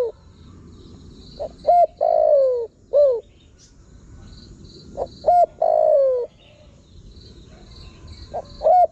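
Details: Spotted dove giving its lure call for wild birds: two complete phrases of short introductory notes, a long falling coo and a brief curved coo, a third phrase starting at the end, over faint high insect-like buzzing.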